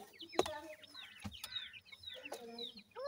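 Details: Grey francolin (gora teetar) chicks while being fed: thin high cheeps and short upward and downward sweeping peeps overlap, with a soft low clucking note and several sharp knocking taps.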